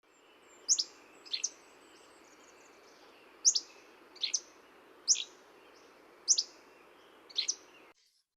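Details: Hammond's flycatcher (Empidonax hammondii) sings short, high, harsh, burry phrases, each a quick pair of notes, repeated every second or so over a steady background hiss.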